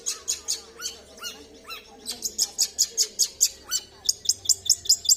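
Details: Long-tailed shrike in full song, a fast series of sharp high chirps repeated more than twice a second, mixed with short lower slurred whistles and a few downward-curving notes, over a low steady hum.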